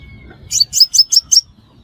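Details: Five-coloured sunbird call used as a trapping lure: a single run of five bright, high, sharply rising chirps in just over a second, with a faint thin whistle before it.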